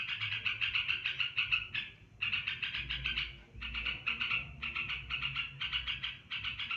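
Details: Olive-winged bulbul (merbah belukar) giving a long continuous ngebren song: dense bursts of rapid, chattering notes in fast pulsed phrases about a second long, broken by short pauses, over faint low background hum.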